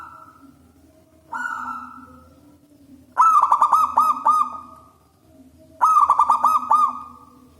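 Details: Loud local wild zebra dove, a singer used to lure doves; a long falling note, then two bursts of rapid, bouncing cooing trills about two and a half seconds apart, each ending in a drawn tail.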